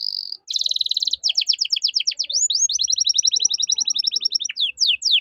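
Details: Canary in full 'gacor' song with 'cengkok mewah' phrasing, used to tutor young songbirds; a brief steady whistle, then long rapid trills of repeated chirps, sweeping down-slurred notes and fast staccato tours with no pauses.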